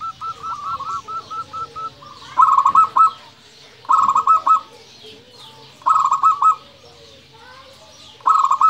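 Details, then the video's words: Local zebra dove (perkutut) in 'nembak' song. A soft string of rapid coo notes is followed by four loud trilled phrases, each about half a second long, repeated roughly every 1.5 to 2 seconds in a quiet setting. "Perkutut lokal gacor Suara Nembak"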